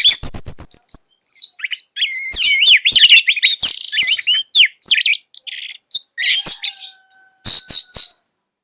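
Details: Orange-headed thrush pouring out a fierce, rapid song used for tutoring young birds. Fast high chips and dense, tumbling whistled phrases, with scratchy buzzes. A faint steady tone lies beneath the later part.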